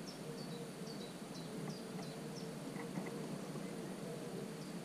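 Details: Recorded 27 June, a common cuckoo chick in a marsh warbler nest gives a string of high, thin, falling squeaks, briefly pausing midway before resuming. A few weaker mid-pitched chirps and steady low noise are also heard.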